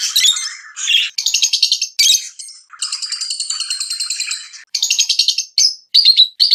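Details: Lovebirds chirping excitedly during mating: dense runs of harsh, buzzy high chirps and rattling trills in bursts of one to two seconds, broken by short pauses, with sharp squeaky notes toward the end.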